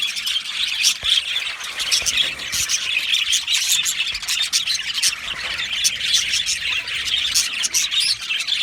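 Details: Colony of Australian budgies in an aviary giving nonstop chatter, sharp clicking chirps punctuating a warbling, high-pitched chorus of overlapping voices.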